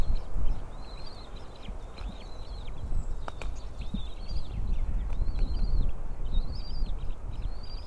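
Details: White-tailed eagle nest with three small eaglets, the third hatched the day before, filmed by a nest camera at 7:38 on 20 April 2016 while the female feeds them fish; thin, high arched peeps repeat in runs over steady low rumble, with one sharp click.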